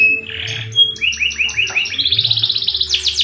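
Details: Domestic canary in rolling song with long bursts: a whistled opening note, then a series of repeated rising slurred notes, followed by a fast, high, pulsing trill that climbs in pitch, over a faint low hum.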